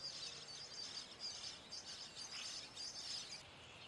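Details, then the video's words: European starling at its nest while feeding babies: a continuous high, hissing, buzzy chatter that surges in short bursts about twice a second, with a soft background hiss. "European starling bird call / sounds at nest"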